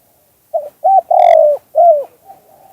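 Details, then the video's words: Single phrase of spotted dove song in the two-kuk hanging style, used for luring doves: two quick low coos, a long steady coo, then a drooping hanging note and a soft trailing murmur. "เสียงนกเขาใหญ่ 2021 2กุกห้อย เสียงธรรมชาติ"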